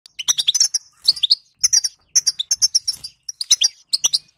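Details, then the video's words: Female European goldfinch chatter, known locally as bitbita, used to prompt silent male goldfinches into singing; rapid high twittering chirps in dense bursts, each burst separated by brief pauses. "هذا البتبته الحل لأفضل للحسون صامت"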